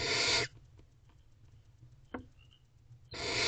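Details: Barn owl owlets begging at night in a nest box, 22 April 2023, while the female feeds them prey: a loud rasping hiss ends abruptly, a quiet gap with faint scratching follows, then another harsh hiss begins.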